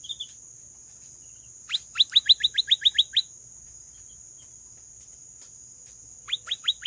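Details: Canary giving a short run of sharp, downward-sliding whistled notes, about eight in a row, then silence and a few more notes at the end; faint constant high hum behind.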